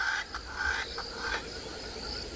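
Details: Spurfowl at sunrise on 18 February in Tswalu Kalahari Reserve, South Africa: rough, scratchy, smoker's-cough-like bursts about every half second over a steady hiss of insects.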